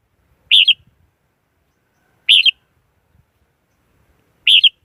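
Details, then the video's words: Red-whiskered Bulbul lure song for trapping wild birds, clean and free of background noise: three quick, sweet warbling phrases spaced about two seconds apart. "Tiếng chim chào mào mồi dùng đi bấy cực sát bổi"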